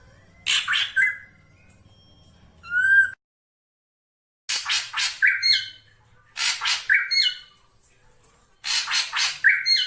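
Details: Black drongo calls used as a lure: clusters of three or four harsh, grating notes ending in brief whistles, repeated in bursts with silent gaps, one bright rising whistle between them.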